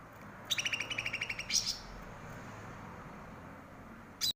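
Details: Cucak rante, a bulbul said to be growing rare in the wild forests of Aceh, used as a tutor song for captive birds: a fast run of about ten sharp, evenly spaced chirps, then a brief buzzy note, a long quiet hiss, and a final abrupt note.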